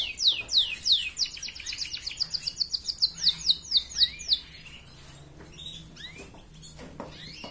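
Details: Red canary in chatty ngerek song, played to stir breeding drive in hens: quick rhythmic run of sweeping high notes, speeding into a rapid roll, then fading to scattered soft chirps over quiet background.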